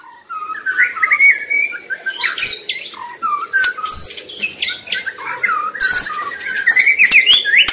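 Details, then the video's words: White-rumped shama in the wild delivering a varied, rambling song of whistles, warbles and chirps, moderately loud over faint background noise. "Sura merdu Burung murai batu sedang ngoceh gacor di alam liar"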